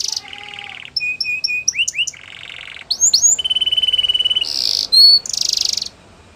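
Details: Training song from a canary: a low buzzy trill, repeated clear whistled notes, paired downward sweeps, another buzz, a steady fine trill, and bright buzzy bursts.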